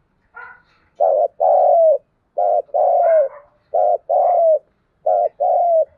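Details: Dawn calling of a spotted dove in 'thúc gù' and calling style, meant to set newly caught birds cooing: four back-to-back low coo phrases, each a brief throaty note followed by a drawn-out coo that sags at its end.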